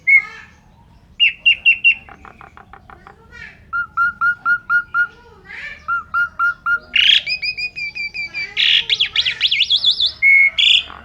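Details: Asian pied starling in full energetic song packed with imitations of other birds, used as training audio for pet songbirds; varied phrases of rapid repeated chirps, buzzy notes and shrill whistled trills, changing every second or so.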